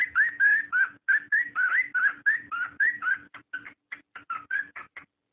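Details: Cockatiel mating call used to encourage pairs to breed: a long, fast string of fluty whistles that rise and fall, about four per second. The notes grow shorter and choppier toward the end, and there is no other clear sound.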